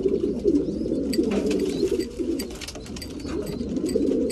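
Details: Cooing chorus of breeding pigeons during feeding time, low rolling coos repeated rapidly and irregularly, mixed with tapping and pecking clicks.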